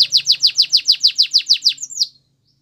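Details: Canary song for coaching other canaries to sing: eleven evenly spaced sweeping downslurred notes in quick succession, ending with two higher twisting whistles, then silence.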